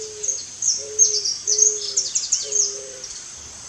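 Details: Eared dove repeating low, flat coos, four in under three seconds, the last slightly doubled, while other birds chirp and twitter shrilly and continuously above.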